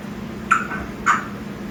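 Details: Alex, a six-month-old African grey parrot, gives two short, harsh squawks about half a second apart, mid-pitched, over a low indoor hum.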